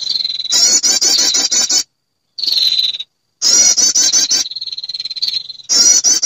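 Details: Female prinia calling to males, a lure recording meant to draw birds in: long steady buzzy notes alternate with loud, rapid, high, pulsing trill bursts, broken by short clean silences.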